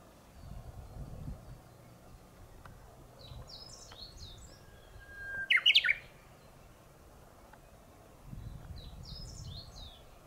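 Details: Japanese bush warbler singing in the morning from the top of a tall tree instead of its usual low shrub perch; one bright burst of sharp notes after a short whistled lead-in midway, fainter high chirps before and after, low rumbling background.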